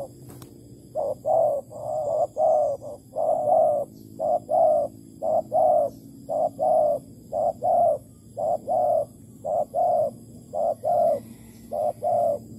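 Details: Spotted dove, Malaysian form, calling at a bait trap on 11.08.2020; long unbroken series of low short-long coo pairs at a steady pace, faint background hiss and a brief tap at the start.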